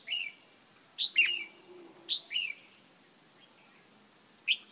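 A female red-whiskered bulbul gives short, bright, down-slurred chirps, often in quick pairs, to stir up males. A steady high insect trill runs underneath.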